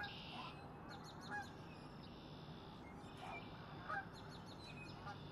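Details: Male red-winged blackbird calling early on a cold, frosty morning in a park in Kanata: a buzzy high burst followed by clusters of quick metallic notes, repeated a few times over a low rumbling background hum.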